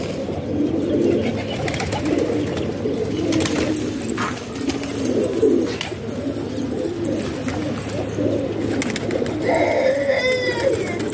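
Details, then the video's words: Domestic pigeons kept as a hobby in a house loft in Pakistan: a dense, continuous chorus of low, rolling coos from many birds overlapping, with a brief higher chirping near the end. "Pigeon Sound"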